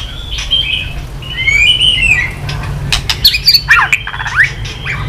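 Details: White-rumped shama excited into song with tail-flicking: softer whistled phrases early, then clicks and quick squeaky twisting notes.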